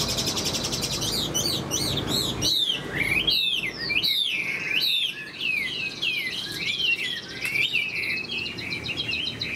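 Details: Chinese hwamei, moulting, large and handsome, singing high: fast rattling phrase, then a long run of loud arched whistled notes, each rising then falling, delivered over one per second with varied pitch.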